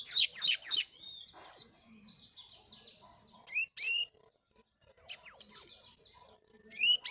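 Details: Double-collared seedeater trained for tournaments out in the bush. Loud, fast downslurred notes open, then quieter buzzy twitters and short rising whistles alternate with brief pauses over about seven seconds.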